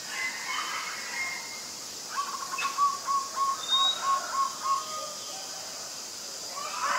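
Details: Adult zebra dove (Geopelia striata) at Ubon Ratchathani, Thailand, on 24 February 2022: a rapid staccato series of short, clipped cooing notes on a steady mid pitch, about ten beats over two and a half seconds, over a steady hiss.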